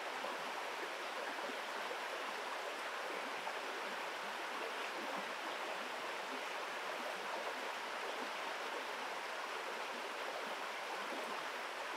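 Steady rushing of flowing water fills the whole stretch, with no animal calls standing out.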